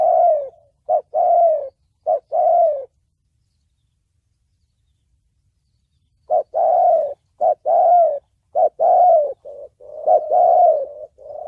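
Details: Spotted dove, 'thổ bầu' voice style, played to lure doves into traps and train decoy birds: a burst of several short and long coos, a six-second silence, then another dense series of mellow hooting phrases.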